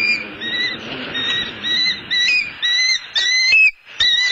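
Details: At a southwest Florida nest, a male bald eagle hands a headless fish to the female. High, thin whistled notes come in quick bursts with short pauses, and sharp chirps punctuate the end.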